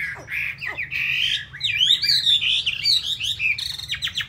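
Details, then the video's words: Chinese hwamei, a caged songbird from Hanoi, Vietnam, described as a loud singer and good fighter: a continuous run of high, varied whistles with rising and falling slurs and a few sharp downward notes. "Họa Mi thuộc to đấu tốt"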